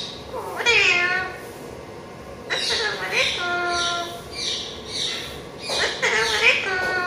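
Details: Talkative pet parrot mimicking phrases such as Aslam Alaikum and Allah ho: a series of nasal, strongly harmonic spoken syllables in four short bursts, rising and falling in pitch, in a quiet indoor setting.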